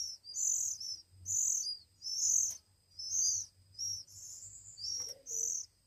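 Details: Hand-fed Oriental magpie-robin nestlings, one week old, beg with loud raspy hissing bursts, about six rough high notes in quick succession, one of them ending with a brief lower squeak.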